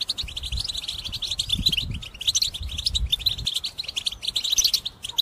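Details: Intense, unbroken song of a caged European goldfinch used for trapping: high, tinkling, twittering notes pour out continuously for five seconds, with light low-pitched background noise.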